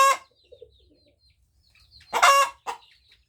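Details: Hen crowing, opening with the tail of one harsh call, then a quiet pause with distant high chirps, then a loud rasping squawk followed by a short clipped note.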